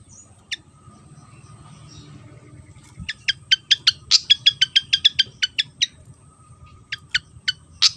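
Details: Song of a Javan fantail, a fan-tailed insect-eating bird of Java: after a quiet start, a rapid, even string of crisp high ticks runs for a few seconds, pauses, then resumes with several more spaced ticks.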